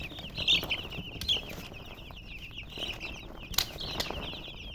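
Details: Young chicks cheeping almost without pause: dense, overlapping high peeps, with several birds calling at once and sharp rustles and taps now and then.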